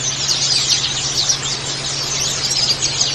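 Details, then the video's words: White-eye song used as therapy audio to get caged white-eyes to open their beaks and sing: a continuous stream of high, thin, rapid twittering chatter with no pauses, over a steady low electrical hum. "terapi pleci agar buka paruh"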